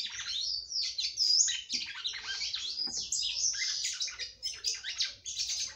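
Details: Female red-cowled cardinal singing a lot to excite a male: a continuous, dense run of high chirps, slurred whistles and buzzy trills for nearly six seconds over a faint low hum.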